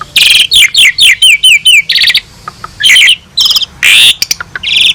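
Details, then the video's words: Asian pied starling giving varied song for use as a vocal tutor: quick repeated slurred whistle phrases, buzzy chattering bursts and a long harsh rising screech, with a short pause in the middle. "Masteran burung jalak suren gacor || full isian mewah cocok untuk guru vocal jagoan kalian"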